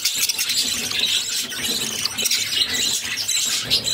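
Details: Mother budgerigar feeding her six hungry chicks: steady high-pitched squealing and wheezing chatter, rough and overlapping, with a few sharp thin squeaks standing out.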